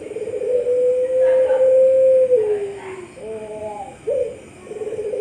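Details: Prize-winning Puter Pelung dove in an online voice competition from Sragen, October 2021: a long sustained coo sinking at its close, followed by short wavering notes, an accented hoot and another rising coo.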